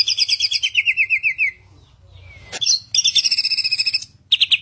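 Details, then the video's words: Asian pied starling, called samyong, in lively song: fast runs of repeated buzzy chattering notes, a brief pause with a soft slurred whistle, then another rapid burst of trilled notes. "samyong gacor, burung 1001 suara"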